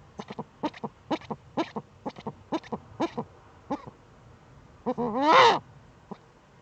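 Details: Eurasian eagle-owl female in a nest niche in northern Rhineland-Palatinate, Germany, 5 May 2013, scratching at the nest; a run of short dry scraping taps followed by one drawn-out hoarse, grating call, then a last faint tap.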